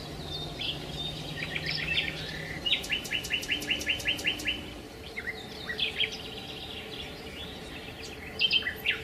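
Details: Sparrows gathering at a hotel in Marsa Alam after breakfast to eat leftover food from restaurant tables: bright overlapping chirps, with a quick run of about ten sharp repeated notes midway, plus a low steady hum.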